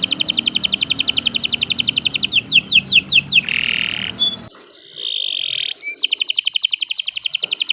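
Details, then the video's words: Canary singing a long, continuous song used as a training model for other birds: rapid high trills repeated about three per second, a burst of sweeping notes, a sustained buzzy note, then the fast trill returns. "Kicau Burung Kenari 165 II LUAR BIASA GACOR PANJANG Cocok untuk Masteran"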